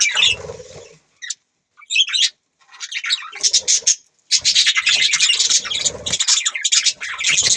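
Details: Budgies chattering: a soft scratchy warble, a few isolated high chirps between pauses, then a loud, dense run of rapid overlapping chirps and buzzy notes through the last three seconds.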